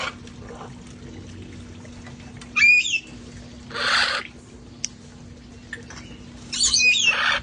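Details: Parrots in a rescue flock playing outside before it got cold; a sharp wavering squawk, a rough broad screech a second later, a few clicks, then a long harsh squawk with twisting tones near the end.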